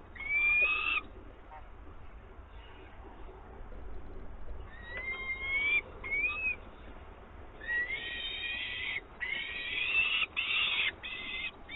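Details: Adult peregrine falcon bringing live prey to the nest at Włocławek on 24 May 2022; scattered thin rising whines, a quiet spell, then louder bursts of harsh, buzzy calling toward the end.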